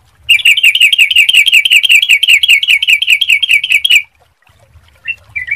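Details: Yellow-vented bulbul used as a clear lure to get others singing: a fast, even trill of repeated rolling notes for nearly four seconds, followed after a pause by two short soft notes.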